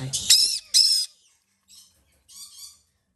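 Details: Hand-fed White-bellied caique chicks give two loud, grating, buzzy squawks in quick succession, then softer, fainter rasps after a pause.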